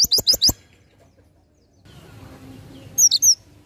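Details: Oriental white-eye in ngalas nembak style for tutoring songbirds: four quick, shrill twisting chirps, a long quiet stretch with soft background hiss, then a short high trill of three notes.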